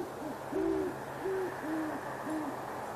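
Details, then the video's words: In a Boulder, Colorado tree after dark on January 21, 2016, a great horned owl couple converses with low hollow hoots, about five notes in three seconds, two pitches interleaved, light hiss in the background. "Great Horned Owl Couple Hooting in Conversation"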